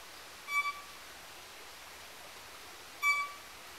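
A pygmy wren-babbler gives two clear, thin whistled notes of steady pitch, about two and a half seconds apart, over a soft background hiss.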